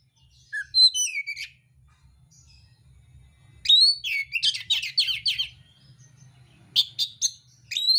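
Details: Oriental magpie-robin (kacer mintal) in fighting song with rough filler: a falling whistle, a quiet gap, then a quick chattering series of harsh buzzy notes followed by scattered high whistled phrases.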